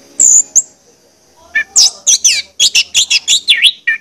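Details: Orange-headed thrush song played as a lure to stir other birds into singing: a brief high whistle, a pause, then a fast run of about ten loud, varied buzzy and whistled high-pitched notes.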